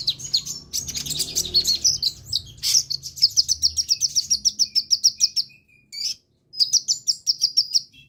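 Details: Lively sunbird song for luring other birds into song: a jumble of high twitters, then a rapid series of sharp, regularly spaced chips, a brief gap, and more fast chipping.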